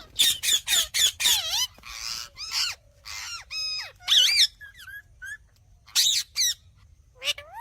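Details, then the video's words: Indian parrot chattering in rapid harsh squawks mixed with varied whistled notes that rise and dip, some calls clipped short, others drawn out, over a faint steady background hum. "Indian cute parrot sound"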